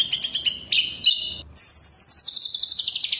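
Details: White-rumped shama kretekan lure: quick stuttered high notes, a short whistled phrase, a break, then a long rapid rattle of high repeated notes.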